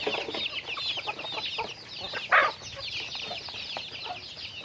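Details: Chickens in daily activity chirp continuously in a busy high chorus, broken by one short, loud, harsh call near two and a half seconds.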